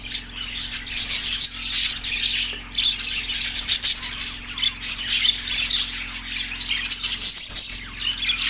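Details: Many budgerigars chirping together in Larkana, Sindh, March 14, 2024; busy overlapping high warbles and squeaky twitters pulse in loudness every second or so without pause.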